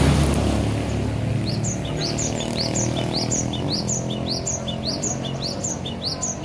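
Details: Active cinereous tit from Aceh singing gantang at home: a long steady string of paired whistled notes, a rising stroke then a short lower one, about two phrases per second, with low background rumble throughout.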